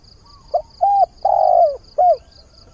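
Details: Decoy spotted dove cooing at daybreak to find a mate and lure wild doves. One phrase: a short note, a hooked coo, a long drawn falling coo, then a final hooked note. Rapid high ticking continues in the background.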